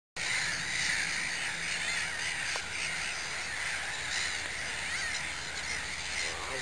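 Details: Mediterranean gulls at Sophiapolder, the Netherlands, give a dense, unbroken chorus of nasal, yelping calls, many birds overlapping with no pause.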